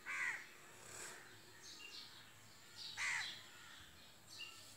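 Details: A pair of cockatiels kept as pets, one giving sharp rising-falling screeches about every three seconds, with softer chirps between.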